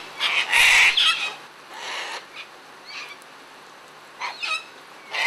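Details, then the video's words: Feeding sulphur-crested cockatoos in a noisy frenzy: one loud harsh screech at the start, followed by quieter raspy squawks scattered across the following seconds. "Sulphur Crested Cockatoos Playing"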